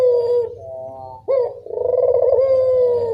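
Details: Evening call of a Barbary dove, used as a lure: low mellow cooing runs almost without pause, a brief rising note breaking into a long purring, vibrating coo that carries on to the end.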